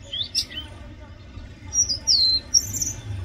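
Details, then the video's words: Oriental magpie-robin song, loud: a few brief high whistled notes, a falling slurred whistle near the middle and a rising phrase at the end, with gaps between and a low steady hum beneath. "Oriental magpie robin Song | Oriental magpie-robin Sound | Oriental magpie-robin Call"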